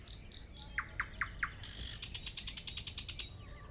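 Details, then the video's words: Nightingale delivering four short upward-swept notes, then a fast rattling series of about fifteen dry, evenly spaced clicks, heard against steady low outdoor noise. "Nightingale Sound"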